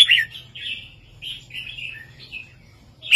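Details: A red-whiskered bulbul kept caged sings a southern-style 3-4-5 master song used for training birds: a loud opening note, then a flowing series of mellow warbled whistles, fading before a sudden sharp note.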